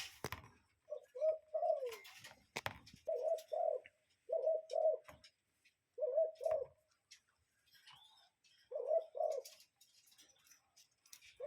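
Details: Repeated paired hoots from a cuckoo in nature, five or so two-note phrases spaced one to two seconds apart, over background knocks, rustling and scattered noise.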